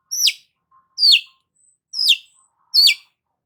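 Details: Cendet, the long-tailed shrike, giving four loud, shrill notes that slide sharply downward, spaced under a second apart, with a faint high whistle in the gaps.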